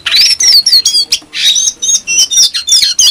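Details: A Brown-throated (brown) sunbird in full, clear song sings a fast, high-pitched run of twittering chirps and thin sweeping whistles, packed tightly without pause, used as a lure to provoke other sunbirds into singing. No other sounds stand out.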